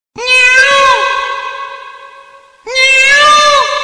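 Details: Peacock perching in a tree; two loud, nasal, wailing cries, each sliding up and then down, the first drawn out and fading over about two seconds. The background is otherwise quiet.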